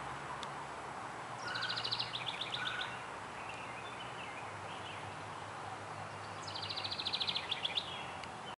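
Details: House wren song on the Lansing River Trail, 5 May 2012: two rapid, bubbly cascades of high chattering notes, each about 1.5 seconds, over steady background hiss.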